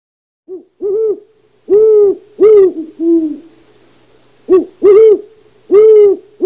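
An owl gives a run of about eight short, hollow hoots, each slightly arched in pitch, spaced irregularly at roughly half-second to one-second intervals.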